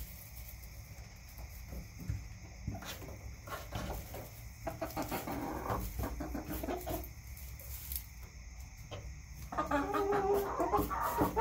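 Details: Backyard chickens kept for eggs, clucking in bursts of short, rapid, uneven notes that grow busier and louder toward the end, over a steady low background hum.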